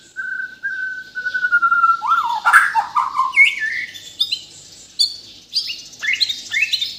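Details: White-rumped shama of Bornean origin, from Kalimantan, delivering a long level whistle followed by a rich burst of rapid warbling, rising slurs and sharp high notes.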